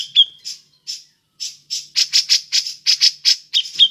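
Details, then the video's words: Grey-cheeked bulbul calling in ngepik style as a lure for other birds: a series of loud, scratchy, high squawking notes given in quick pairs and triplets, with short gaps between. "Burung cucak jenggot ngepik cocok untuk pancingan"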